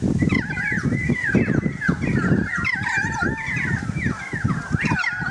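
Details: Several currawongs heard from a balcony, their gliding, warbled whistles overlapping in a dense, busy chorus over low thumping background noise.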